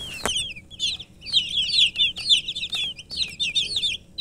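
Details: Chicken chicks (murgi) peeping together in a busy chorus of high, short, falling cheeps, rapid and overlapping, after a sharp click at the start; brief quieter gaps between bursts.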